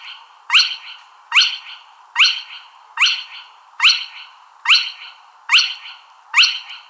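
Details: Spotted crake calling steadily: eight loud rising whiplash notes, roughly one every 0.85 seconds, each a quick upswept whistle with a brief rough trailing buzz, evenly spaced.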